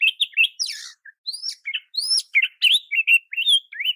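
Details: Oriental magpie-robin song used to train other magpie-robins and spur them to sing hard. A rapid, varied stream of slurred rising whistles and short chirps follows with almost no gaps, each note sharp and clear, without background noise.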